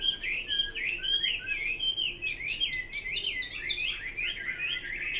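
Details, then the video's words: Varied song of the Chinese hwamei: looping whistled phrases at first, then a busier chattering passage of quick, higher notes, delivered continuously and loudly. "Kicau burung Hua Mei."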